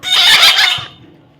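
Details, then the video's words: A baby parrot gives one loud, broad, noisy screech of under a second that fades away smoothly afterwards. "natural funny parrot sound"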